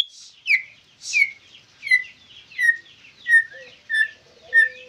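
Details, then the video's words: White-rumped shama giving a series of clear, downward-slurred whistled notes, about one every two-thirds of a second, eight in all, with a faint steady low tone entering near the end. "Murai Gacor"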